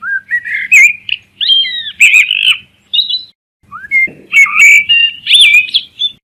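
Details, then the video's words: Songbird chirping in lively bursts of clear whistled notes, some rising, some falling, some warbled, with short pauses between phrases and a faint low hum underneath. "أجمل اصوات تغريد الطيور الجميلة Beautiful birds chirping sound"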